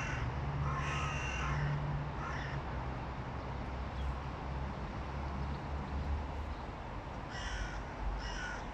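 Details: Hooded crows of two rival clans in a vocal battle trade harsh, rasping caws in bursts, several birds calling back and forth over a steady low rumble of traffic-like noise.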